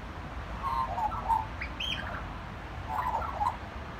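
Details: Singing magpie giving short phrases of gurgled, wavering notes, then a higher clear whistled slur in the middle, before a final warbled phrase; faint background hum.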